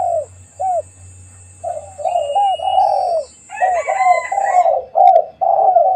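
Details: Low cooing from a spotted dove at home at midday, short coos early and longer phrases later, with a steady thin high whine and other brighter bird notes in the background.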